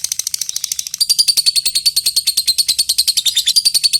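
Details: Lovebird in long chattering while calling an opponent: a continuous, very fast, even rattling of high, grating notes that grows louder after the first second.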